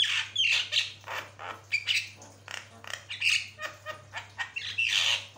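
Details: Vigorous master song of a Javan myna, a continuous run of raspy squawks, short chirps and occasional clearer whistled notes, loud and dense with barely any pauses.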